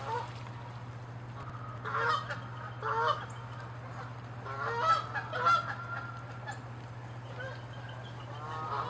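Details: Canada geese fighting on water and land, chasing and attacking each other in territorial anger, giving loud harsh honks in bursts around two, three, five and six seconds, some calls rising into nasal squawks, over a steady low hum.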